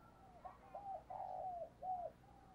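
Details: Morning cooing of a decoy spotted dove calling to wild doves: one soft, distant-sounding coo phrase of short notes and a long drawn note over steady background hiss.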